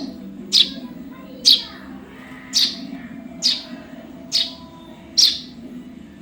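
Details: Young Eurasian tree sparrow calling, a recording used as a tutor for other songbirds: sharp high chirps repeated roughly once a second, each a brief bright note, over a steady low hum.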